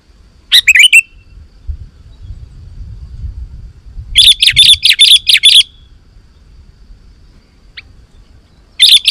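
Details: Energetic sooty-headed bulbul song for attracting wild bulbuls: a brief chirped phrase, a pause, then a rapid burst of about seven sharp notes and another short phrase at the end.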